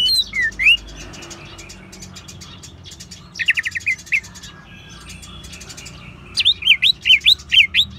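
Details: Song of an orange-headed thrush in ngeban style, used to encourage caged birds to sing: scattered looping whistles, a fast trill of short notes, then a rhythmic run of zigzag whistled phrases.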